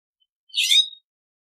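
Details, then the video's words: A single brief, scratchy, buzzy note from a California scrub jay against a silent background. "California Scrub Jay Song! Call! Sound! Singing!"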